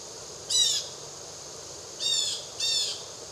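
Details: Blue jay in the Triad Area of North Carolina near Winston-Salem, screeching out a tune: three harsh, raspy, buzzy calls, each about a quarter second, the last two closer together, over a faint steady background hiss.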